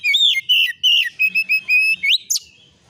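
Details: Oriental magpie-robin lure song with fill-in phrases: long, loud whistles, then clipped notes repeated on one pitch, a rising slur and a final sharp high note.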